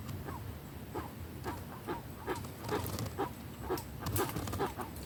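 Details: Guan calling in the sertão backlands, giving brief, mid-pitched notes in a steady run of roughly two per second that swell slightly toward the end, against faint outdoor noise.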